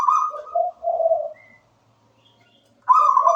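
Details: Zebra dove of local stock singing: a higher trilled coo stepping down into two lower purring notes, a quiet gap, then the bright rolling phrase starts again.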